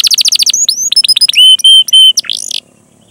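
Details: Canary song for luring young or silent canaries into song: a quick run of chirps, then clear level whistled notes, a rough buzzy phrase, and a sudden stop.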